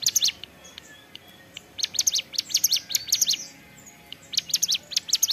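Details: Hill prinia (ciblek gunung) singing energetically in ceplekan style: rapid bursts of sharp, high chirping notes in quick clusters, with a short pause between bursts.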